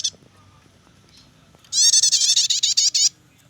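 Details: Prinia chattering song of the nyetater type, used to lure or tutor birds: after a quiet start, a single loud burst of quick, high, buzzy pulsed notes lasting just over a second.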